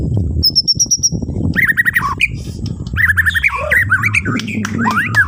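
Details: White-rumped shama from Borneo singing, played in the morning to get other birds singing: a quick high trill, then clusters of whistled notes sweeping down, over a steady low rumbling background.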